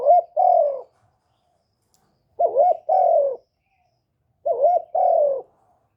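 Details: Kept spotted dove acting as a decoy, its repeated coos used to prompt other doves to call; three phrases roughly two seconds apart, each a wobbling short note then a fuller descending coo.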